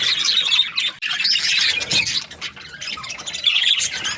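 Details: Breeding-season Australian budgies chirping in a group: raspy warbles and short squawks, with a brief drop in activity near one second and again midway.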